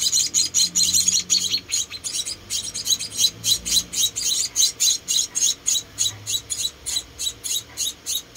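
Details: Rescued munia babies, four of them, being fed: a continuous stream of sharp, high-pitched chips repeated roughly four times a second for over eight seconds, slightly uneven in spacing.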